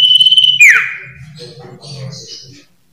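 Common iora gives a long, steady high whistle, then a sharp downslurred whistle, followed by softer, lower warbling notes over a faint background hum.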